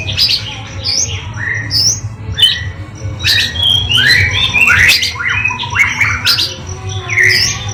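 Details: Indonesian oriental magpie-robin in full varied song: quick strings of whistled, buzzy and chattering notes with sharp upslurs and downslurs, nearly continuous, a low mechanical hum in the background.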